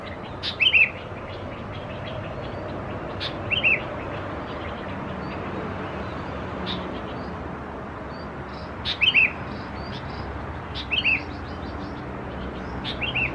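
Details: Young Sooty-headed Bulbuls (Pycnonotus aurigaster thais) recorded at Khao Yoi, Phetchaburi province, Thailand, 17–20 June 2020. Brief, bright double chirps come in scattered bursts, about five over thirteen seconds, with a soft rural hiss between them.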